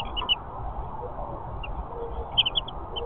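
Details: House finch (Haemorhous mexicanus) gives short, high chirps, one near the start, then a quick cluster of four or five a second later, over a steady low background rumble.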